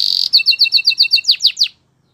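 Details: Canary sings a quick high roll, then about ten evenly spaced two-part chirps and three louder downward-sweeping notes before stopping.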